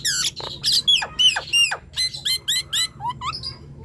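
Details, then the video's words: Chattering Nias hill myna, played to get silent birds singing: bursts of steeply falling whistles, nasal squawks and a few short upward-slurred notes at the end, about three per second, with a low hum underneath. "Ocehan Jalak Nias Gacor"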